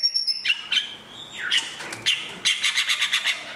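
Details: White-rumped shama of Asia singing a varied series of clear whistled notes, including a long downslurred whistle, followed by dense chattering phrases, with a steady faint hum and other background sounds.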